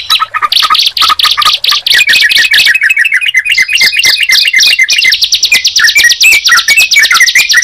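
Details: Bar-winged prinia and yellow-vented bulbul song mix: chattering, uneven bursts of high notes give way to a fast, buzzy, sustained trill. Scattered warbled whistles sound beneath it.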